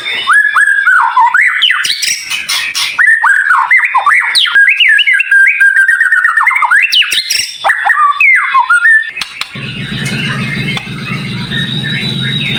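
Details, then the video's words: White-rumped shama song in a dense, sharp, high-pitched tutor recording: a long run of fluid whistles, slurred notes and quick chattering turns. It ends in about three seconds of steady hissing noise. "Masteran Murai Batu cepat Buka Paruh"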